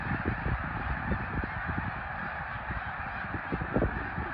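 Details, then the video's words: Dense honking of a large snow goose flock at Middle Creek in 2022, continuous throughout, with low rumbling bursts of background noise. "Middle Creek snow geese 2022"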